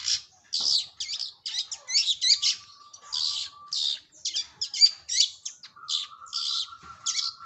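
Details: Long-tailed shrike song used as a lure: a rapid stream of harsh, scratchy chattering notes with dense broadband bursts, plus a steady thin whistled tone held in the background.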